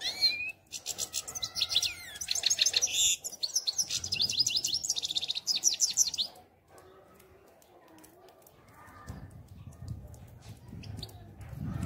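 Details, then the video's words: European goldfinch delivering a stream of rapid, tinkling twitters and short buzzy trills for about six seconds, followed by a quieter stretch with low rumbling background noise. "Щегол Пение"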